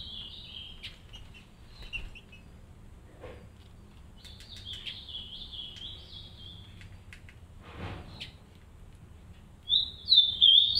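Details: Captive green-winged saltator pair in an aviary caring for three chicks: thin, high chirps and a drawn-out wavering note, ending in a few louder, bright notes over a low background hum.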